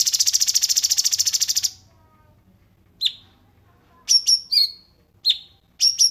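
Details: Cungkok song recording used for training other songbirds, the style called isian: a dense rapid buzzy trill for nearly two seconds, then a pause and sharp high whistled notes dropping in pitch, some doubled, spaced irregularly.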